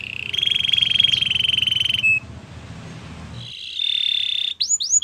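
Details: Canary song for training other canaries: a steady buzzy trill for two seconds, a short gap filled with low background hum, then a sustained high note and three quick falling sweeps.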